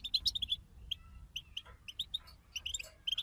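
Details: European goldfinch group twittering (bitbita) for stimulating a kept goldfinch to sing: quiet, scattered bright chirps and short twitters at an uneven pace, a few brief sweeping notes, over a low background rumble.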